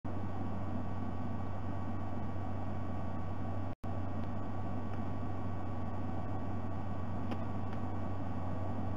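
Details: Low mains hum and static hiss run steadily, broken by one brief dropout, with no animal calls audible.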